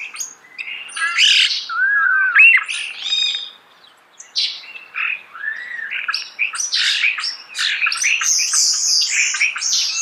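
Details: Starling in close song: squawking chatter with looping whistled notes, a short pause, then a long fast run of harsh clicks, squeaks and high twittering.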